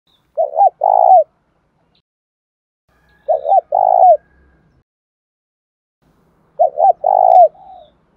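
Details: Spotted dove giving urging coos to get a house bird to coo back: three low two-part coos, a short note then a longer hollow one, repeated about every three seconds in quiet surroundings.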